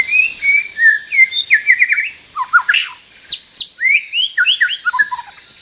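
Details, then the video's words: White-rumped shama, a territory-holding bird, singing a rich varied run of clear whistled phrases, rising and falling slurs and quick chirps, over a steady high insect hum. "เสียงต่อนกบินหลาดงEp.304 จ้าวถิ่นเวียนไม่ลง มาเสียท่ากับหนอน!! Suara Burung Shama gacor"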